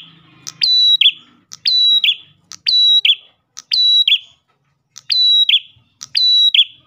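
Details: Repeated song phrases of an Ash tailorbird aimed at luring other tailorbirds: a click, a piercing even whistle and a buzzy falling end, spaced about a second apart, with slight low noise at the start.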